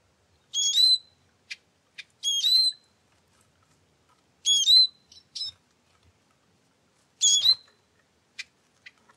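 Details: Eurasian siskin (Carduelis spinus) giving clear, high, thin calls that bend and slur up and down, repeated in four short bursts about two seconds apart. Single brief ticks fall between them in an otherwise silent setting.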